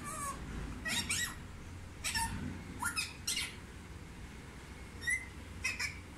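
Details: Indian ringneck parakeet, a talking pet kept indoors, giving short squawks and rising and falling chirped syllables in scattered bursts over a hum of room noise.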